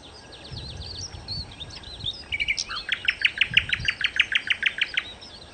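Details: Nightingale, known locally as sikatan londo, singing a varied phrase: scratchy twittering notes, then a loud rapid series of about fifteen sharp repeated chips, evenly spaced and high-pitched.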